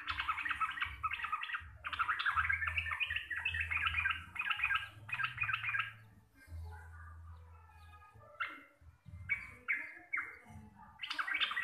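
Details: Chattering 'gacor receh' song of a local Javanese sooty-headed bulbul, described as deep, clear and loud: bursts of rapid bubbling warbles in quick succession, a brief quieter gap, then further short phrases over a low hum.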